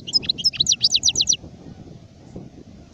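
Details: Brief phrase from an adult European goldfinch (sharef), 2019: a quick series of bright, evenly spaced twittering notes over about one second, followed by low background hum.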